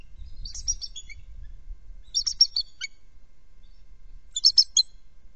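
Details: Bald eagles, a trio at their nest, calling over a perceived threat: three separated bursts of rapid high chittering notes, about two seconds apart, with faint low wind noise.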